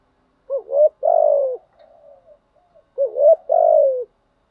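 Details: Spotted dove giving its luring call twice: each phrase a quick two-part rising note followed by a long buzzy falling coo, with soft murmuring between.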